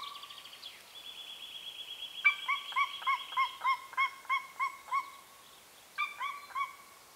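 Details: Golden eagle recorded near its nest in remote Carpathian mountains, northern Romania, likely pair contact calls: a thin, drawn-out whistle, then a run of high, ringing yelps about three per second; after a brief pause, three more follow.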